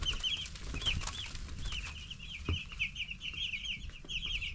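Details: Flock of broiler chicks, ten days old, chirping continuously: bright, rapid, wavering peeps running together into a trill-like chatter, with a background hum and occasional bumps.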